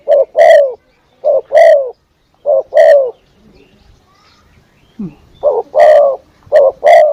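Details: Spotted dove calling as a lure: three two-note coo phrases, a pause with faint background sounds, then two more phrases, each short note leading into a drawn-out descending coo.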